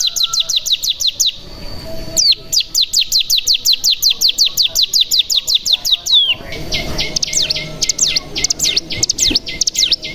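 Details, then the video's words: Bar-winged prinia (cigun) 'bren' song meant as a decoy to make other birds sing. Long runs of rapid upslurred whistles with a few downward sweeps between runs. A later phrase of looping, varied notes sounds over background noise. "Pancingan Cigun Bahan Agar Bunyi Langsung Ngebren Paling Ampuh"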